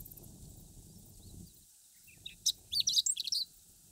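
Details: A chestnut-eared bunting in Akita, northern Japan, sings a brief, rapid jumble of high, thin chirps and twitters over about a second and a half, with low rumbling background noise before it.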